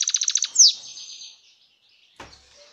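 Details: Wild European goldfinch recorded in 2018: a quick series of six high, evenly spaced chirps, then a sharp rising note and a short twitter, followed by silence and a single click.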